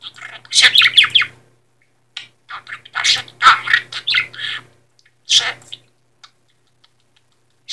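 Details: A pet budgerigar named Stefan makes clusters of sharp, wet smacking kiss sounds, copied from people, in short bursts, among Polish talking phrases.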